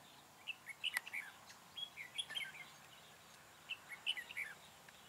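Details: Red-whiskered bulbul decoy singing to lure and fight wild birds during trapping on 4 February 2017: two short warbled phrases of bright whistled notes, rising and falling, separated by a quiet pause, with faint background noise.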